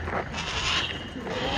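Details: Harris's hawk vocalizing during a free-flight raptor demonstration at the Arizona-Sonora Desert Museum, Tucson, Arizona. A harsh, grating, drawn-out rasp like chalk on a blackboard or metal rubbed on metal swells in the middle and then fades.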